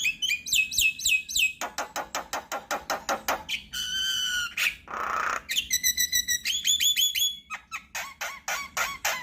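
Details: Javan myna, recorded as a lure and tutoring track for myna keepers: fast run of sharp clicking notes, then rising whistled loops, a buzzy rasping burst and more chattering whistles, over a faint background hum.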